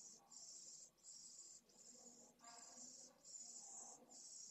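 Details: Nest-camera sound of pallid swift chicks asking for food, Esclavas de Jerez in Jerez de la Frontera, September 8, 2022: piercing high buzzy pulses, each under a second, separated by short gaps, with faint scuffling beneath.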